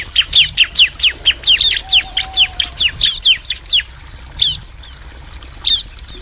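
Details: Male and female bar-winged prinias answering each other: a fast string of sharp descending chirps for about four seconds, followed by two isolated chirps over faint background noise.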